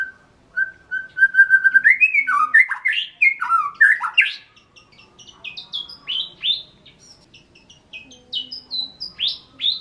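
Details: Song of a hobby white-rumped shama in Indonesia: evenly repeated whistles speeding into a rich, rolling, loud outburst, followed by spaced bright upslurred notes.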